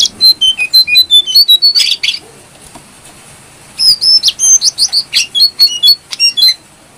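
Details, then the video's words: Brown-throated sunbird in full song, used as a tutor for cage birds: two long bursts of rapid, high, varied twittering notes, jumping up and down in pitch, separated by about a second and a half of quiet. "Jongkangan gacor"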